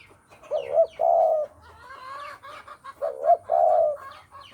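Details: Spotted dove, Javan type, recorded as a lure for bird trapping: two cooing phrases, each a short rising note with a bright peak followed by a longer level coo, about 2.5 seconds apart, with faint chirps of other birds between.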